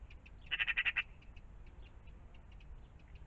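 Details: Close, harsh chatter from a magpie by a pond in the morning: a fast burst of about six grating notes, then quiet scattered ticks over low background hum.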